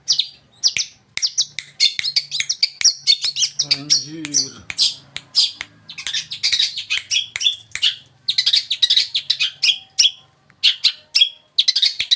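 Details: Tame Long-tailed shrike from East Java singing vigorously as a lure for other shrikes: a dense, scratchy run of rapid high chirps and buzzy notes in quick bursts, briefly joined by a low wavering tone midway.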